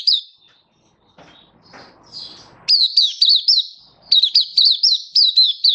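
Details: Oriental white-eye performing 'buka sing' display song on 24 February 2023: faint scattered high notes and soft rustling, then two loud runs of quick, ringing chirps, each note dropping in pitch.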